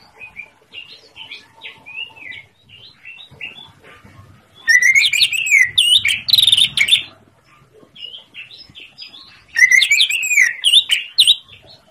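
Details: Greater green leafbird master recording used to prompt silent birds to sing: soft varied chirps and slurred whistles, then loud bursts of rich warbling, rising-falling whistled phrases with chattering, around five and ten seconds.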